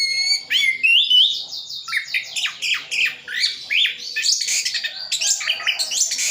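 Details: Orange-headed thrush song from Sidoarjo, East Java, stuffed with imitated phrases. A rising whistled opening leads into a dense series of quick, harsh, slurred notes with high chirps near the end.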